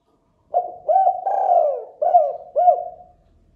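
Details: Spotted dove lure recording, clear and loud: a run of five mellow, mid-pitched coos, some with a brief hooked upward inflection, one longer drawn-out note in the middle, ending after about three seconds; quiet background.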